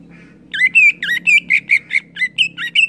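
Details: Greater green leafbird singing in gacor ngeplong style: a fast, unbroken string of about twelve ringing, buzzy notes, some rising and some falling, with a faint low hum underneath.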